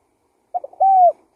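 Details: Spotted dove lure call in one brief phrase. Two quick low notes lead into a smooth, sustained coo that arches slightly, and the start of another note cuts in at the end.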